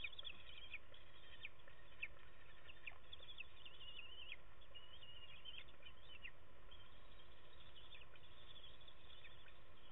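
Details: Bald eagle chicks on a camera-watched nest, chattering in rain on 11 May 2016: brief high cheeps and chirps come in loose clusters, partly buried under constant rain noise.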